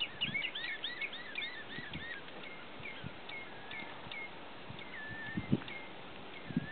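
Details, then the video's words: Common redshanks fighting, giving rapid, overlapping high piping whistles, some rising or falling, many in quick succession, over low wind rumble and thumps. "Redshanks fighting"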